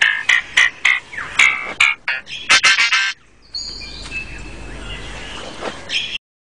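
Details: A male lyrebird sings his most complex song to attract females, mimicking forest sounds including a camera shutter and motor drive: rapid bursts of loud, rich mid-high notes, then thinner whistles and a soft hiss.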